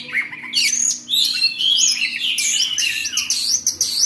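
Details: Oriental magpie-robin in ngobra singing style, pouring out a fast, unbroken stream of scratchy chatter, bright whistled slurs and sweeping high notes for four seconds, with a soft constant background hum.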